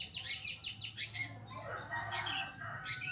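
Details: Pastol long-tailed shrike singing for use as a training tutor for other birds: quick descending whistled slurs, then harsh rasping and buzzy notes mixed with high squeaks, a busy fast phrase over faint low hum.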